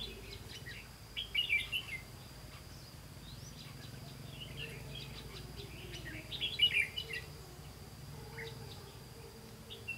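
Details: Decoy red-whiskered bulbul calling wild birds during trapping on 18 September 2016; two separate bursts of quick chirpy warbling several seconds apart, with a quiet gap and low ambient rumble between.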